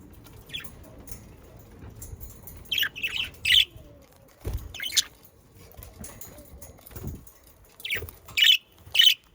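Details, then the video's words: Pet budgerigars in the Netherlands, recorded to encourage budgies to sing, give scattered pairs and trios of loud, harsh chirps between quieter spells, with a few dull thumps and soft rustling in the background. "Sounds of Australian parakeets to stimulate your parakeets to sing🐦 Sonidos Para Periquitos"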